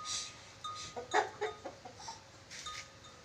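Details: Sulawesi ornate lorikeet (nuri dora), said to be a skilled whistler with many whistled tunes, producing a quick series of short clipped whistled notes, some rising, spaced unevenly over about three seconds.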